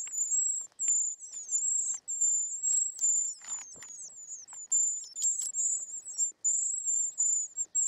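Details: Continuous begging of short-toed treecreeper chicks being fed inside the nest, an almost unbroken chorus of very high, thin, slurred squeaks overlapping one another, with clicks and scuffling sounds throughout.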